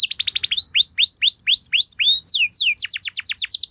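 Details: Short passage of canary 'pancingan' lure song, a luxurious style used to make canaries respond: a fast burst of notes, then slower, evenly spaced descending whistles, ending in a quicker run of falling notes.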